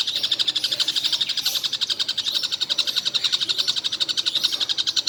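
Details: Collared kingfisher in a tireless all-day calling bout: dense rapid chatter of rasping high notes, slightly uneven in loudness, continuing without pause for five seconds.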